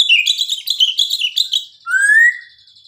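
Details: White-rumped shama song fragment, played as a lure: a quick burst of high chirpy notes followed by one clear, rising slurred whistle.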